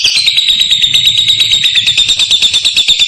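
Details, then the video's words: Lovebird in full ngekek, a long clear trill used to set other lovebirds calling: an unbroken, very fast, piercing high chatter at steady loudness throughout, with a faint low hum beneath. "LOVEBIRD MANAPUN AKAN NYAUT, BEGITU DENGAR KICAU LABET NGEKEK JERNIH PANJANG INI"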